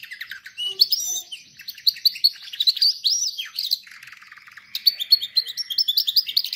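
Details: Canary song meant for training canaries: fast sharp chirping runs, then a smooth low rolling trill, before loud rapid chirps return.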